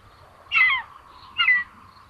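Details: Common buzzard nestlings sharing food at a nest in Tiszalök, Hungary, June 8, 2022: two loud, harsh, mewing calls with a falling tone, the pair about a second apart, with quiet between them.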